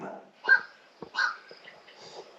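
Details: Black-crowned night heron in the marshes of Loxahatchee National Wildlife Refuge, South Florida, around dusk, gives two harsh, hoarse quok calls about a second apart, like a duck's quack, with fainter rasping notes after.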